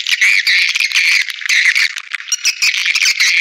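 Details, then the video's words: Swiftlet calls played to lure swiftlets to bird houses: dense, continuous chattering with overlapping buzzy chirps, as of many birds calling together. "Suara Walet Panggilan Ampuh"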